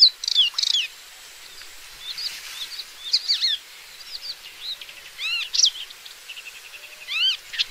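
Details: Paddyfield warbler, Acrocephalus agricola, found in Central and Southeast Asia, delivering a scratchy, chattering song of quick high notes and rising-falling slurred phrases in irregular bursts, with quiet background hiss.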